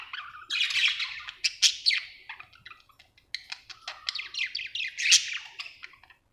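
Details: Happy budgie delivers rapid twittering chirps and sharp clicky squeaks in two lively bursts separated by a short pause, over a quiet background.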